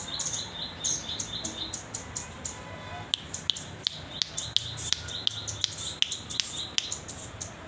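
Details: Hand-reared juvenile velvet-fronted nuthatch learning its song while newly perching: a steady stream of thin, high, sharp chips, some doubled, repeated several times a second over faint hiss.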